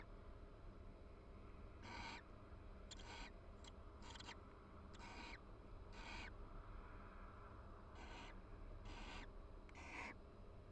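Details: Barn owl pair calling softly while preening each other in a nest box at the University of Florida: nine or so clipped, scratchy rasps at uneven spacing, with a steady low hum underneath.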